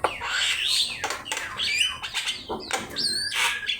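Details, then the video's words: Javan myna singing as a training master: wavering whistled phrases, harsh rasping bursts and clicks, with a bright rising note near the end. "Suara jalak kebo gacor"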